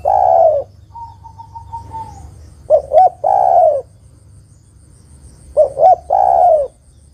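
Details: Female spotted dove calling the male, repeating a cooing phrase of two brief notes and a long falling croo about every three seconds; a thin wavering whistle is heard early on.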